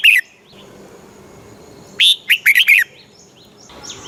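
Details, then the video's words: Red-whiskered bulbul song in Thailand, played to excite caged birds and teach young ones the southern master style: one short note, a pause, then a burst of five quick bright whistled notes, closing with faint chirping. "เสียงนกกรงหัวจุก ร้อง ริก เปิดให้นกฟัง ยั่วให้นกคึกจัด"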